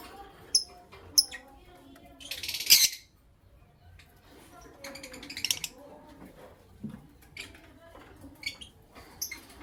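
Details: Lovebirds, a creamino and a lutino opaline, heard in the morning: sharp, shrill high chirps given singly and in short clusters at irregular intervals, with a brief harsh squawking burst partway through and soft background rustling.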